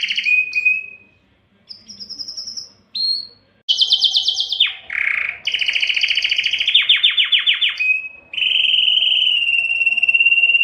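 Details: Canary male song meant to excite hens for breeding: varied phrases of whistles, a harsh buzzy note, then long rapid trills and slower descending rolls, with brief pauses between sections.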